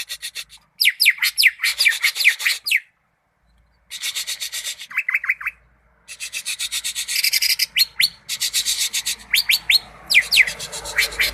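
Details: Greater green leafbird from Malinau singing a fast run of steep downward whistled sweeps mixed with dense buzzy, rasping bursts, in three phrases broken by short silences.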